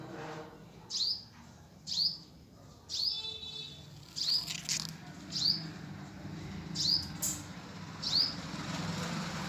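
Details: High thin chirps from a hummingbird at the nest, single sharp notes repeated about every second, with soft fluttering and a low background rumble.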